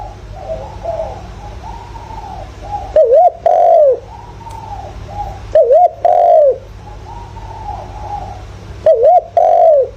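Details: Calling spotted dove kept as a lure for wild doves, 'giọng thổ' voice; three phrases about three seconds apart, each a quick double note followed by a long drawn descending coo, with softer cooing between.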